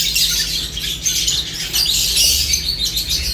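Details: Lovebirds eating and chirping, a thick wash of bright high twittering and squeaky chirps from many birds, continuous, with a low background hum.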